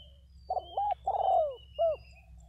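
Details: Cooing decoy spotted dove, one of two: a quick double note, a long rich falling coo, then a single rounded closing note. A faint thin whistle from another bird runs behind it.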